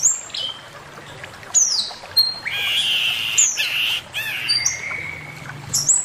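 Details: Male Chinese hwamei master song, high thin whistles alternating with harsher buzzy, rasping phrases, spaced with short gaps.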